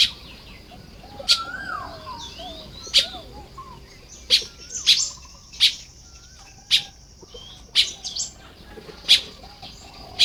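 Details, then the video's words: High, sharp chips from nest-building Baya weavers at Lopburi, Thailand, on the morning of 1 May 2026. The chips come irregularly, often in pairs, over soft chatter and a few thin, rising whistles. "เสียงนกกระจาบทำรัง ยามเช้า"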